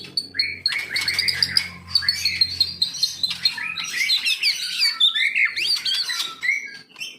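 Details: Caged white-rumped shama of the Medan type singing a rich, varied song of quick whistled and chirped phrases at mid to high pitch, changing every second or so, over a faint low hum.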